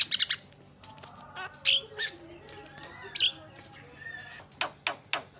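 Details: Javan myna in lively 'gacor' song, said to quickly make other mynas chatty: scattered short bright chirps and buzzy bursts, some faint harsh notes, irregular spacing with quiet gaps between.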